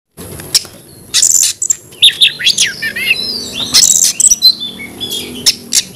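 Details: Oriental magpie-robin in aggressive, persistent fighting song: scattered bursts of loud, high whistles and sharp chirps with short buzzy notes, broken by brief pauses, over faint low background hum.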